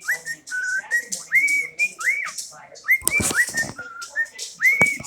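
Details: Whistled cockatiel phrases of flat held notes and quick upward sweeps, repeated over and over. Sharp clicks or taps break in partway through.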